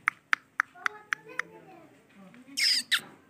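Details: Male ringneck parrot vocalizing: six sharp, evenly spaced clicking notes, then soft low murmuring, ending in two loud, harsh, noisy squawk bursts.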